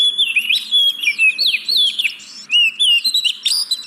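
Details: Oriental magpie-robin song played to stir reluctant caged birds into singing: continuous loud whistled phrases, sliding up and down, mixed with sharp high chirps and brief pauses.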